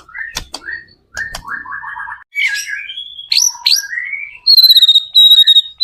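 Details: White-rumped shama singing as a lure for other shamas, with buzzy trilled phrases, short whistles and a high rapid stuttering run near the end, mixed with sharp clicks.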